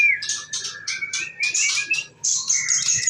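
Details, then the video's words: Female murai, a bird kept for breeding champion songbirds, gives a quick series of sharp, high chirps over a thin sustained whistle, then a bright rising trill at the end. "Betina Murai"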